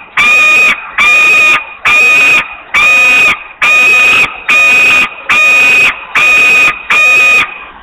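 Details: Hungry young osprey at a nest in Włocławek, Poland, on 8 August 2021 at 13:48, giving long screams for food before finally flying; nine loud, even, whistled screams with a steady pitch, each about half a second, repeated roughly every 0.85 seconds.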